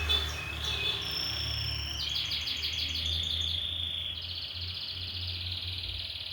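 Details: Canary song mixing varied whistles and a fast stuttering high trill, followed by a sustained buzzy rolling trill, with steady low background hum.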